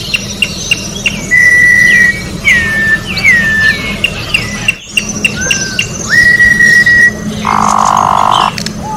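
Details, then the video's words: Orange-backed troupial in the wild, song used for training birds: varied short chips and slurred whistles, a pair of long flat whistled notes, and a closing buzzy rasp, over a steady low hum. "Corrupião Cantando na Natureza melhor canto pra encarte Corrupião"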